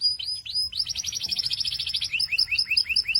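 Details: Singing canary: upward whistled slurs, a dense rapid rattling trill, then a run of quick repeated chirps, clear and high over faint low background noise.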